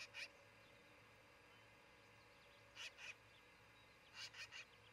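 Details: Osprey at a nest in Charlo, Montana, on 26 June 2018 shortly before six in the morning: three short bursts of sharp, high chirps, a single note and then paired notes, over a steady low hum.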